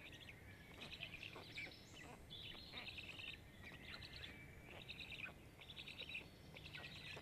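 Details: Black stork chicks, five young at a camera-watched nest in Jõgeva County, Estonia, beg while being fed on 29 May 2022: rapid grating, chattering bursts in repeated groups, with a constant faint hum.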